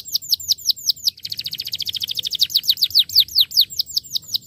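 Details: Starblue canary singing to encourage other canaries to sing again; crisp falling chirps, then a long, rapid rolling trill that slows into spaced downslurred notes.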